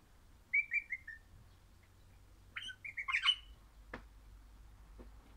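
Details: A happy crimson rosella (Pennant, orange) sings four quick, clear whistles falling in pitch, then a louder burst of richer, slurred notes, followed by two sharp clicks.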